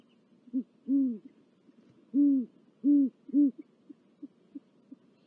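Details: Great horned owl pair at a nest with four chicks and a mouse, Corona, California, 19 February 2023, filmed by a live nest camera; deep, low hoots in an uneven series of four, then soft short notes, with faint background hum.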